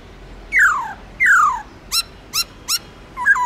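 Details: Caged black-throated laughingthrush in forest-style song: two long, rich whistles slurring steeply downward, followed by three short upswept notes and a brief warble at the end.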